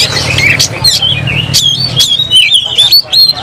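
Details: Oriental magpie-robin (kacer) singing hard while fighting with its tail fanned, agitated. A rapid run of loud whistles and harsh squawky notes with sharp upward sweeps, over a steady low hum.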